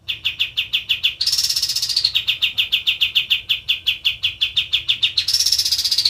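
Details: A kapas tembak white-eye sings prolifically: rapid chains of sharp, high chirps interrupted by two higher, buzzy rising trills before the chirping resumes.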